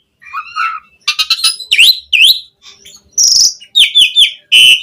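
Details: Varied song of an Asian pied starling, called jalak suren, used to train and provoke captive birds. Wavering whistles, abrupt rising and falling slurs, buzzy bursts and a high shrill note, all separated by short silences.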